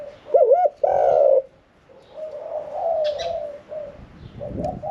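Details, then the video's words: Caged spotted dove of middle voice, kept one year and four months, singing in the 'khan yon 1 kuk' style. The clip opens with a loud wavering double coo, followed by quieter drawn-out coos from other doves. "ฟังเสียงขันนกเขาใหญ่ { ขันโยน 1 กุก} ,{นกเสียงกลาง}"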